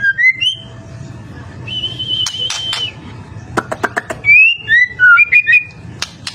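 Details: White-rumped shama in full song, used as a lure to make other shamas sing back: clear rising and falling whistles, a long steady whistled note, then sharp clicks and quick slurred whistles over a low background hum.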